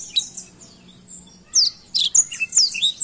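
A black-throated canary sings a rapid, high twittering song of sharp chirps and slurred whistles, softer at first and then bursting out louder over a faint low hum.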